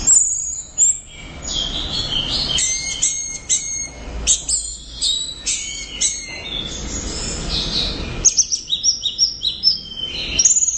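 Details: Orange-headed thrush singing loudly and tirelessly: a rich, fast stream of high whistled phrases, sharp chips and slurred notes, with a run of rapid staccato notes near the end and brief pauses between bursts.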